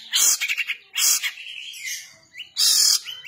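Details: Harsh kasaran-style song of a long-tailed shrike, given in bursts: a loud rasping blast, a short whistled phrase, a thin gliding note, then another long, rough, screeching burst.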